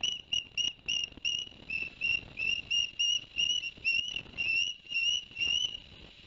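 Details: Osprey at a live nest camera in Barnegat Light, New Jersey, 11 September 2021, where the male had delivered two fish to the young. A steady string of about thirteen clear, whistled chirps, evenly spaced, each slightly rising, with faint background hiss.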